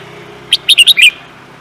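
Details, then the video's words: Contest songbird, the kind raced for its voice, delivering a quick phrase of five bright, piercing notes, the last slightly longer and dropping in pitch, over a faint steady background hum. "The Beautiful Bird singing"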